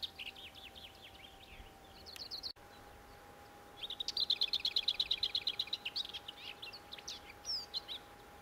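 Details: Lesser whitethroat giving a soft, scratchy warble, then after a short pause a loud dry rattle of about fifteen rapid identical notes on one pitch, followed by a few scattered high notes.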